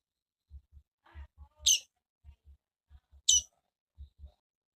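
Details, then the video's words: Two loud, high, abrupt chips from a female double-collared seedeater about one and a half seconds apart, preceded by faint scratchy mid-pitched notes, with soft low thumps throughout. "Melhor piado de fêmea de coleiro"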